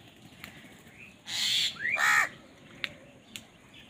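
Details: Crows fighting over food: two harsh, raspy caws in quick succession, the second with a clear arched, rising-then-falling tone, followed by faint clicks against quiet background hiss.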